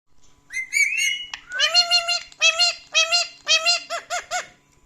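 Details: Pet male talking parrot indoors, laughing out loud while reacting to recordings of himself: a rising whistled note, then a run of loud, harmonic, nasal bursts in quick uneven groups.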